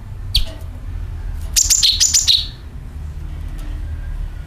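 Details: Sooty-headed bulbul calling as a bird lure: one faint chirp, then a tight run of four bright, downward-sliding chirps, followed by quiet low hum.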